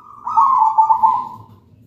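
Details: Zebra dove song, used as a lure to set other zebra doves singing, described as melodious, loud and clear: one warbling, purring coo of about 1.3 seconds, holding a steady middle pitch before fading away.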